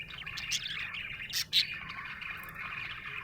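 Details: A happy budgie chatters in a rapid high twitter, punctuated by two loud sharp squeaks early on, then settles into a steady, softer warbling murmur.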